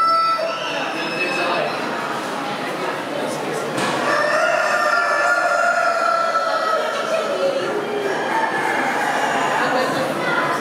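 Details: Leghorn hens at Lysá nad Labem, 2023, call over one another in a dense chorus of drawn-out, nasal cackles and clucks against a steady hiss of barn noise.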